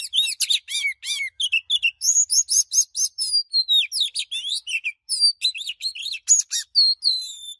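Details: Fired-up 'căng lửa' song of an Oriental magpie-robin that keeps changing its voice. Dense, fast sequences of sharp chirps, slurred whistles and rattling elements are delivered almost without a break. Clean recording.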